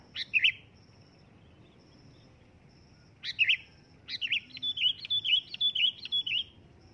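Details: Sooty-headed bulbul calling loudly: a sharp chirp, then another after a pause, followed by a rapid run of about eight bubbly, rising-and-falling whistled notes. A faint high pulsing tone runs in the background.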